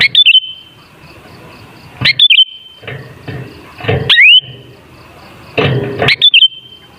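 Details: Sooty-headed bulbul song for luring bulbuls into song: loud bubbly whistled phrases roughly every two seconds, one with a clear upswept note, mixed with low thumping knocks between phrases.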